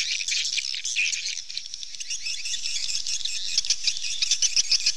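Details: Rapid, overlapping high chirps from many swallows form a steady chattering chorus that grows slightly louder toward the end.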